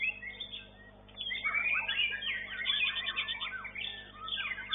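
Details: A competition white-rumped shama, third place in its class at a bird-song contest arena, sings a fast, varied run of sweet whistles and chattering phrases, rich and tumbling, over a faint steady hum.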